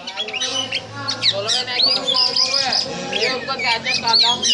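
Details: Oriental magpie-robin (kacer) performing snake-like 'ngobra' song: continuous mix of arching whistles, rapid chatter and scratchy buzzes, with some low rasping sounds underneath.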